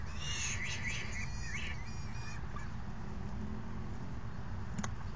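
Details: Hungry falcon young being fed by a parent on June 3, 2018: a short run of shrill, harsh, wavering calls for about two seconds, then only a low steady background hum.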